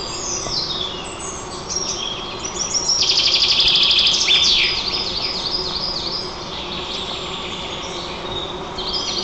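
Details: White-tailed eagle at its wild nest in Nizhnyaya Kama National Park, Tatarstan, Russia, on 27 June 2024, picked up by a nest camera. A loud, rapid series of high, harmonic yelping notes swells midway, with thinner chirps and sliding whistles around it.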